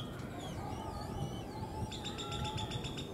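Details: Male great-tailed grackles in Bosque de Chapultepec park, Mexico City, call to attract and win the attention of females: high sliding whistles that rise and fall, then a fast run of harsh, rattling pulses, over a low steady hum.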